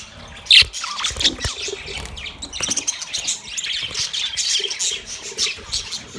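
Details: Chirping of a yellow male budgerigar during mating: a loud sharp squeak at the start, then steady high twittering of mixed squeaks and soft buzzy notes.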